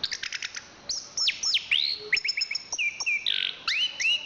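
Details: Chestnut-capped thrush, a national champion, giving a quick series of ticking notes followed by sweeping high whistles, downslurs and a short buzzy burst.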